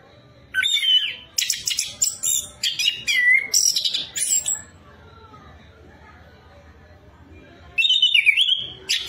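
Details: Orange-headed thrush song used to prompt other birds to sing: bursts of bright whistles and quick chirps for several seconds, a silent gap, then another loud whistled phrase.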